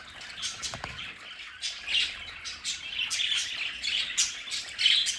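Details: Pet budgerigars in an indoor play area at home chatter steadily: a run of quick, raspy high chirps and squeaky notes, rising into denser warbling toward the end, with a faint knock early on.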